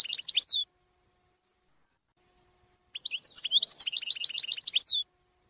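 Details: European goldfinch song in two bursts, each a rapid, liquid twittering series of high repeated notes ending with a descending slurred note, separated by a silent pause.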